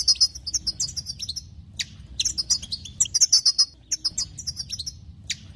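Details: European goldfinch song used to excite other goldfinches: rapid, tinkling high twitters and buzzy trills in dense bursts, broken by short pauses and sharp clicks, with a faint low hum underneath.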